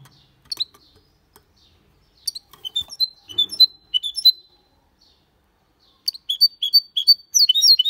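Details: Malaga-style song from a goldfinch and canary hybrid, delivered cleanly without errors: bursts of high, bright chirps and slurred whistles in quick phrases separated by short pauses, with faint clicks and light tapping between phrases.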